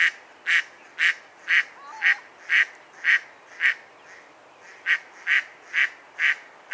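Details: Mallard quacks come in a rhythmic sequence, about two per second. Near the middle there is a gap of roughly a second before the quacking picks up again.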